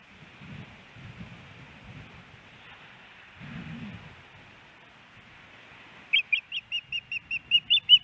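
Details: Nesting female osprey in Hellgate Canyon, Missoula, Montana, 10 September 2018, begging the male for fish. After six seconds of soft rushing background, a burst of about ten rapid, piercing whistled chirps begins and grows louder.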